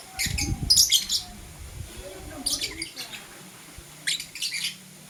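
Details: Morning chirping from blue and green lovebirds, three clusters of rapid, scratchy high squeaks with soft low rumbling and possible voices underneath.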